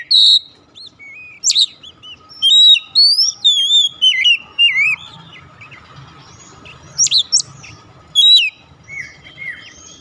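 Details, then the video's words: Oriental magpie-robin song used to lure a silent bird into singing: loud whistled phrases with sliding, warbled notes and sharp high chips, in bursts separated by brief pauses, over a faint steady hum. "memancing ncept Kacer macet bunyi langsung gacor"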